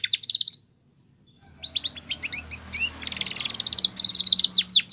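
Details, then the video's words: Spanish Timbrado canary song for training, with a buzzy trill, a pause, then scattered chirps building into dense rattling trills and downward strokes over faint background hiss. "Sound Of Canaries / Spanish Timbrado song For Training"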